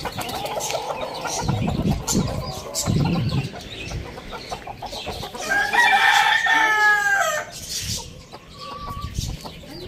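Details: Rooster crowing in the morning in a farm village: low clucking and rustling first, then one loud, harmonic, drawn-out crow rising and holding before falling off, with small birds chirping throughout in the background.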